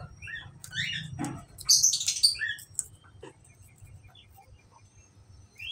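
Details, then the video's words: Australian finch song, played to bring on breeding and egg laying: a busy run of short high chirps and buzzy, noisy bursts, densest in the first half and thinning later, over a low steady hum at the start. "falk australia agar cepat birahi dan bertelur"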